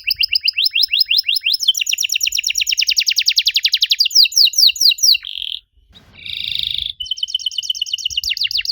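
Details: Canary singing to prompt young canaries to reply: long runs of rapid repeated downward sweeps, a brief buzzy note, a short pause, then a harsh rolled trill and more quick sweeps.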